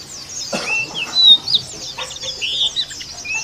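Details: Oriental white-eye, a female, singing roughly: high thin whistles and slurred twittering notes, one stronger louder burst near the middle, over low background noise.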